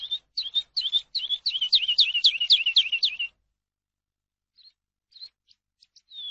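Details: Eurasian skylark song used for teaching captive birds: a fast run of looping, slurred high notes repeated several times a second for about three seconds, then silence broken by a few short, scattered chirps.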